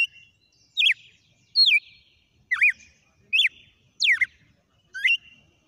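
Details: Whistled song sequence of a red-cowled cardinal: six loud, pure notes with abrupt upward and downward slides, spaced under a second apart against a quiet background.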